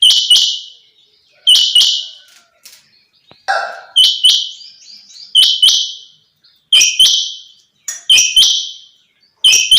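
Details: Female quail, locally called chinga batair, giving loud sharp double-noted calls repeated roughly every one and a half seconds, with a brief lower chatter in between.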